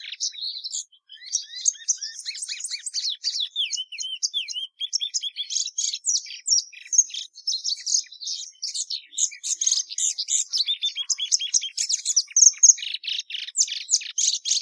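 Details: Continuous song of a plumbeous seedeater: fast chattering phrases mixing downslurred whistles and dense buzzy bursts, growing more crowded and rattling toward the end, with no other sounds.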